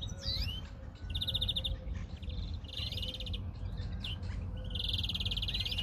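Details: Greenfinch singing outdoors, with buzzy trilled phrases and rising whistled notes in repeated bursts, against constant low rumbling background noise.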